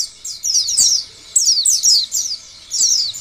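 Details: White-eye song used as a lure for other pleci: three short bursts of sharp, high descending chirps separated by quiet gaps of about half a second.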